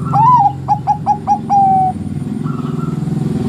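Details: Bangkok zebra dove singing the 'ngerot' style bekur said to stir other doves to call: a rising, wavering first note, four staccato coos and a drawn-out final tone. A steady low rumble runs beneath, with a faint distant reply.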